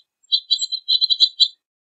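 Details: Two-barred crossbill uttering a run of short dry chirps, about eight notes in close succession, some doubled, in a narrow high band, then silence.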